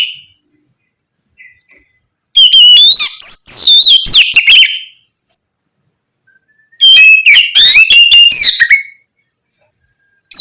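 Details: Oriental magpie-robin (kacer) singing loud 'ngeplong gacor' phrases to rouse other magpie-robins into song. Two long bursts of fast, varied whistles, trills and swooping notes, set apart by several seconds of near silence.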